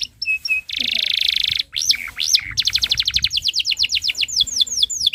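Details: Canary song meant for teaching young birds: a few short whistles, a dense buzzy roll, arching swept notes, then a long steady run of repeated downslurred chirps.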